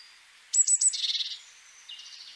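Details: Eurasian blue tit singing: a few high thin notes near the top of its range, then a quick trill of short repeated notes falling slightly in pitch, with a fainter trill after a pause.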